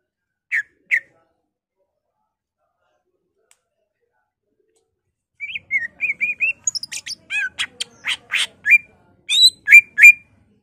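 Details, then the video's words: Energetic Greater green leafbird song showing off mimicry of other songbirds; two isolated chirps, a silence, then a fast string of warbled, whistled and sharp rising notes growing louder. "BURUNG CUCAK IJO GACOR EMOSI NGENTROK BONGKAR ISIAN , Murai, Poksay, Cililin, Kapas tembak, Kenari"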